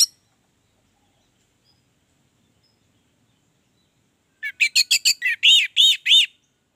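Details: Orange-headed thrush, a caged songbird kept to lure other birds into singing, gives a late burst of about ten quick, sharp chirped notes near four kilohertz after a long silence.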